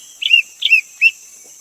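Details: Three short, rich whistled notes from a Greater green leafbird, each a slurred rise and fall, about four tenths of a second apart, over a soft steady high hiss.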